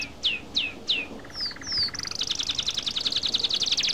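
European goldfinch singing a bright, high song: a few quick downslurred whistles, then fast tinkling trills and buzzy chatter, all in one rush.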